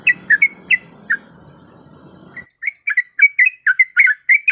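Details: A female sooty-headed bulbul in breeding condition calls for a male. Quick chirped notes come over a low background hum, a brief pause follows, then a denser burst of bright slurred notes in quieter surroundings.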